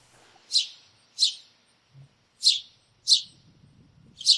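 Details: A house sparrow in a backyard gives five loud, emphatic chirps, each dropping sharply in pitch, spaced about two-thirds of a second apart, with faint low rumbling noise in the background.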